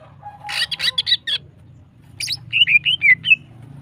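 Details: Female greater green leafbird in breeding condition, used to rouse other birds: a burst of chirpy notes, then five clear slurred whistles at a steady lively pace over a low background hum.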